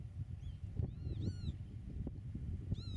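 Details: Pied avocet on the nest in Dutch meadowland, camera at 8 metres: a few sliding notes and a short ringing kleep burst, another call at the end, over low wind rumble.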